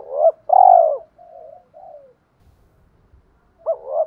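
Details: Lure spotted dove, male or female, giving a provoking fight coo: a short clipped note, then a loud drawn-out falling coo and two soft trailing murmurs. A new phrase begins near the end, and quiet low rumbling sits underneath.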